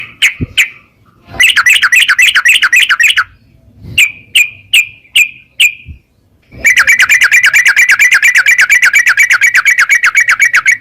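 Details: Yellow-vented bulbul, a caged bird, in rapid 'narung ropel' chatter used to stimulate other caged birds to sing; bursts of fast buzzy repeated notes, a few separate sharp chirps, then a long unbroken rattling run.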